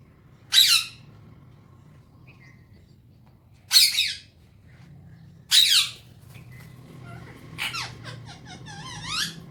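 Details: Pet Alexandrine parakeet in the morning: three loud, harsh squawks about three seconds apart, followed by a quicker series of fainter chattering, twisting notes.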